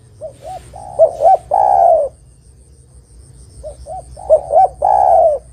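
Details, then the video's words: Spotted dove in energetic song, a lure for trapping birds. Two soft coos, a doubled loud note and a long descending coo are repeated twice, separated by a quiet pause. "Suara Burung Terkukur Gacor Paling Top Untuk Pancingan & Pikat Dijamin Lawan Nyaut"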